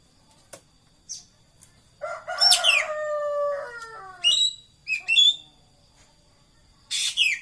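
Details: Racket-tailed treepie singing: a long nasal, drawn-out note that falls slowly, followed by short whistled and buzzy notes and a pair of harsh rasps at the end, over a faint steady high whine.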